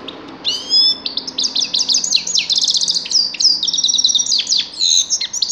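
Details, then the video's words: Grey-crowned goldfinch singing continuously: a lively, jangling stream of high twitters, quick trills and downward slurs, with no pauses. "Седоголовой щегол"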